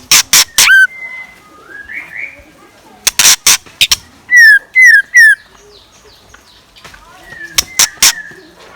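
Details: Scarlet minivet kept as a decoy, singing in the morning. Loud, slurred whistles descend in a quick series of three, with softer rising whistles between them. Sharp, loud clicks break in repeatedly.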